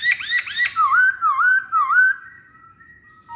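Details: Used as a lure, a masked laughingthrush utters two quick rising chirps, then three looping whistled notes that dip and rise, trailing off into a faint level whistle.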